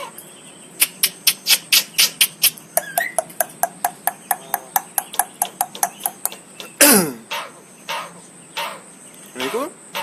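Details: Javan myna in full voice, known to talk and cough, giving a fast regular series of sharp clicks for about six seconds, then a loud harsh burst and a few scattered rasping notes, with a steady high background hum.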